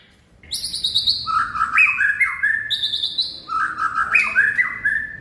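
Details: A white-rumped shama sings rich whistled phrases, each opening with a high sweeping note and dropping to lower warbled tones, the phrase repeated twice.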